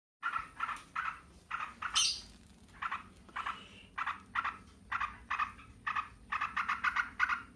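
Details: Yellow-vented bulbuls singing and answering one another, the birds described as lively and in full song; short bubbly phrases of rich notes repeated in quick bursts, separated by brief pauses.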